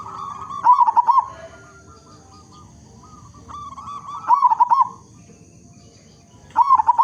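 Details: A local zebra dove, loud and energetic, sings to lure other zebra doves into song. A soft held coo builds into a bright trilled, rolling phrase, three times, a few seconds apart.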